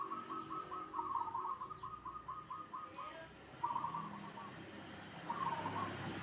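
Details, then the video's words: Zebra dove song meant to prompt other zebra doves to answer: a series of rapid, trilled mid-pitched coo phrases, each a quick stuttering burst, repeated across several seconds over soft background hum. "perkutut apa saja pasti nyaut dengar suara ini..."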